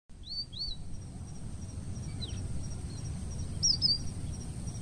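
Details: Red avadavat, an introduced Asian species, recorded in Parque del Sureste, Madrid, giving a few thin, high, slightly arched chirps, two early and a quick cluster near the end, over a steady low rumble and faint high hiss.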